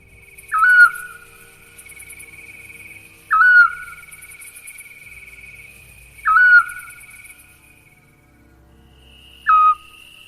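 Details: A Eurasian scops owl gives four soft, sweet, flute-like single whistles, one about every three seconds, a common sound on summer nights in Spain, over a steady high insect trill.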